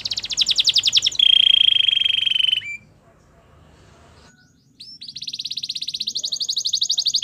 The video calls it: Belgian canary singing